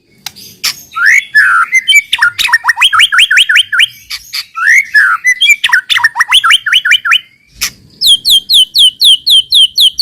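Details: White-rumped shama singing as a lure to trigger other shamas: loud rapid phrases of upswept buzzy notes repeated in runs, twice over, then a steady string of crisp downslurred whistles.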